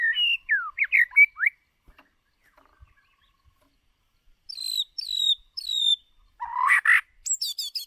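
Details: White-rumped shama lure bird singing for voice training: quick swooping whistles, a quiet pause, then high thin repeated notes and a harsh burred note at the end.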